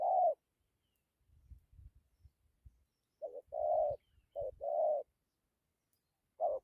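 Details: A decoy spotted dove gives a few gù coos: a single hoot, low rustling and handling noise, then two short-long hoot pairs and one more note.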